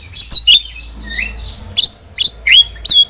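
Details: Starling singing energetic chatter, used to train and prompt pet starlings: sharp separate notes with high whistled peaks and short slurred phrases, a few bursts in about three seconds against a quiet background.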